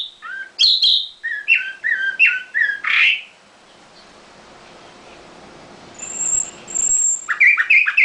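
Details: Song of a caged nightingale: clipped, whistled two-part notes repeated about every half second, a richer burst, several seconds of quiet with a high thin tone, then renewed fast chattering notes.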